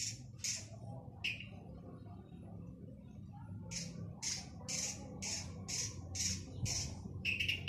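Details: Male long-tailed shrike in lively song. A few scratchy notes come first, then a pause, then a fast run of rasping high bursts at roughly two per second. Faint background hum.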